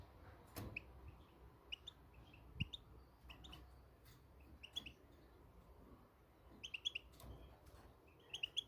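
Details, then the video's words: Moroccan goldfinch giving scattered clusters of high, sharp twittering notes, grouped in twos and threes at irregular intervals, with occasional clicks and knocks over a soft steady background hum. "صوت الحسون المغربي"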